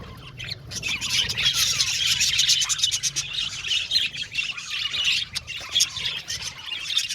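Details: Many budgerigars in an aviary colony squawk and chirp together, a busy stream of sharp, scratchy high calls several times a second over a steady twittering background.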